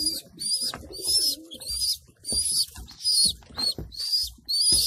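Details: Racing pigeons in the loft where young are being fed: insistent, high, reedy squeals repeat in bursts of about half a second, with a low coo near the start.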